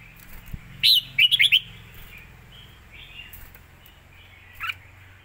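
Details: Red-whiskered bulbul, fast-beak song style: one loud, hurried phrase of four or five bright slurred notes early on, then mostly quiet with faint background chirps and a brief distant note later.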